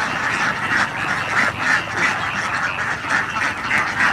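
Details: A huge flock of ducklings crosses rice-field water back toward the coop after a day in the paddies. Rapid, overlapping raspy quacks give a continuous clamour, with louder bursts standing out roughly every half second.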